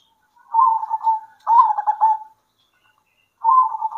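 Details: Local zebra doves singing at midday, answering each other: two quick pulsed, rolling coo phrases a second long, a pause, then another phrase begins. Quiet background.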